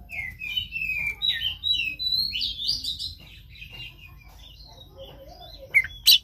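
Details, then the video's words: Oriental magpie-robin singing to prompt a reluctant caged bird; a varied run of whistled, slurred phrases, some buzzy, growing busier midway, then fading to scattered soft notes and two sharp clicks at the end. "Pancingan KACER malas bunyi macet kurang birahi"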